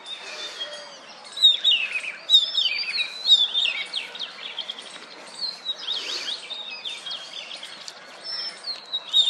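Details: Perched on a wooden stump, an oriental magpie-robin ruffles its feathers and sings to attract females; rapid varied whistles, downward slurs and sharp chips repeated roughly once a second, with faint bird chatter behind.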